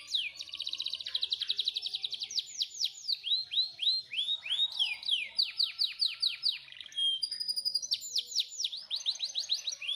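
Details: Canary singing a master song for canaries that are slow to sing: fast buzzy trills alternate with series of looping downswept whistles and brief high piping notes, continuous throughout.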